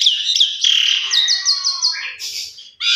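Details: Asian pied starling singing indoors, a lure recording meant to get other birds singing vigorously; high whistled notes, a fast run of six repeated chirps, then a lower slurred note and a harsh burst at the end.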